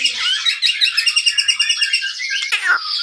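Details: Captive white-rumped shama from a Pangandaran breeder, sung as a lure for other birds: rapid rich warbling with rhythmic repeated notes about five per second, ending in a harsh downward rasp.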